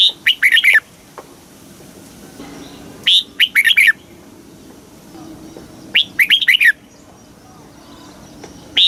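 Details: Red-whiskered bulbul in Thailand giving the southern master-phrase song for stirring caged birds and training young birds; rapid lively phrases of four or five chirps repeated about every three seconds.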